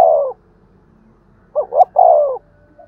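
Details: Spotted dove in thúc gù style, used to stimulate doves: the tail of one falling coo, a pause, then a full phrase of two short notes and a long, gently sliding coo.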